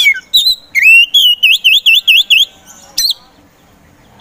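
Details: Poci magpie-robin, a hobbyist's singing bird meant to spark sluggish birds into song, delivers a rising whistle followed by a quick series of about six repeated V-shaped whistled notes, then a sharp squeak.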